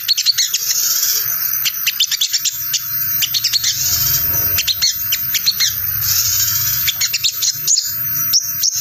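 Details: Sogon giving the chattering call known as ngriwik, played as a lure to draw wild sogon into answering: dense, very high, rapid twittering and ticking notes pouring out almost without pause, with a faint low hum beneath.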